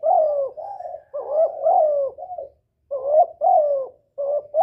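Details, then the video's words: Spotted dove lure call, used to excite a decoy bird and draw in males: low, hollow coos run together in phrases of several notes, each note bending slightly downward, with short pauses between bursts. "Tiếng chim cu gáy gọi kích bổi, gọi trống"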